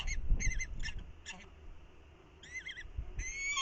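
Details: A falcon pair in a brief exchange at the nest before the incubation changeover, on a windy morning. Wavering, whining calls in short runs, over steady wind noise.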